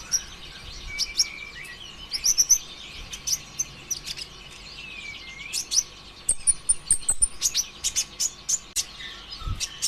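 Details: Brown-throated sunbird 'konslet' lure song for coaxing other sunbirds to sing: sharp high chirps, thin rising and falling whistles and clicking ticks in an uneven, rapid stream, with occasional soft low bumps.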